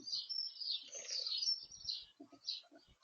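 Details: A blue tit at a garden bird feeder gives a brief, fairly loud run of high, thin, buzzy twittering that runs almost continuously, then breaks into a few separate chirps near the end.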